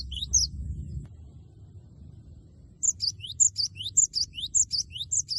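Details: Loud, energetic Cinereous tit song meant to stir a rival to answer. One brief phrase opens, then after a pause a steady run of high, piercing 'wucit' notes in quick repeated pairs fills the last half.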